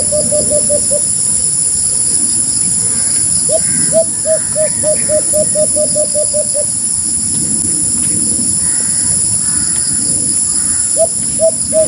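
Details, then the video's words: {'caption': 'White-eared brown dove delivering repeated bursts of quick, hollow, slightly rising notes: a short run, a longer run of about a dozen, then a few more after a pause, with continuous background rumble.'} "Huni ni Tanda ( white-eard brown-dove sound effect"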